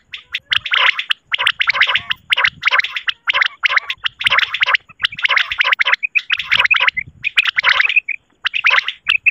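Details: Common quail in Pakistan, possibly a female, giving dense, liquid, gurgling bursts about one per second, with short pauses between them. Nothing else is heard.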